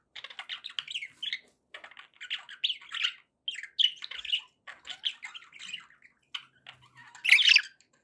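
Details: Happy budgerigars kept as pets chatter in steady clusters of buzzy, squeaky warbled notes, ending with a louder, brighter squawking burst.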